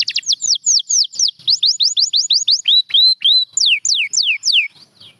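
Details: Canary singing a continuous run of quick downslurred whistles, repeated about four per second, with a brief lower group of hooked notes midway, all high and clear.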